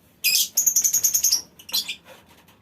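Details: Lovebirds in a mini aviary: a harsh squawk, then a rapid, buzzy trill of evenly spaced high notes lasting about a second, followed by a shorter rasping burst.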